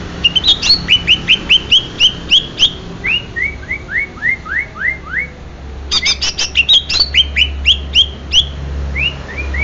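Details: Greater green leafbird of the genuine Banyuwangi strain delivering rapid high chips and upward-sweeping whistles, a falling series of slurred notes, then another burst of sharp chattering and rising whistles.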